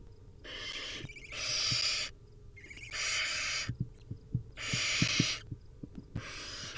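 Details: Wild barn owl chicks beg at feeding time with a series of harsh, hoarse hissing screeches of uneven length, along with low knocks and tapping from movement in the nest.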